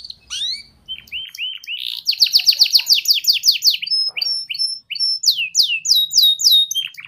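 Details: Singing canary as a tutor for young canaries learning: rising whistled notes, then a rolling trill of sweeping high notes, followed by short chips and more descending whistles.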